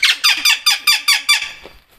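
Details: A pet Cuban amazon, on holiday outdoors with a Doberman, gives a fast run of harsh, raspy squawks, calling to other amazons and answering the other birds.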